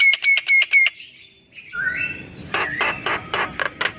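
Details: Javan myna song used to coax silent mynas into singing: a fast string of high ringing notes, a short rising whistle, then grating, harsh repeated chatter.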